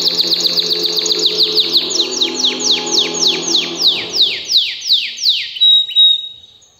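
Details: Canary in excited song: a very rapid trill of descending sweeps that gradually slows and spreads out, closing with a single clear drawn-out whistle before silence.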